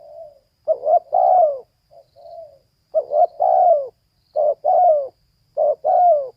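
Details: Female spotted dove repeating its cooing phrase four times in a steady rhythm, each a quick double note and a longer downward coo, with one soft short coo between the first two.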